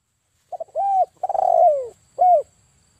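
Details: Single phrase of a male spotted dove kept as a trapping lure, 'kuk 1' style: two soft quick notes, a long even coo, a pulsing coo curving downward, and one short rounded final coo.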